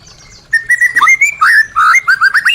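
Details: Murai batu, the white-rumped shama, singing a lure song meant to prompt stalled birds back into song. After a brief quiet start come clear whistles, then fast fluty slurs and a rapid trill-like run of looping notes.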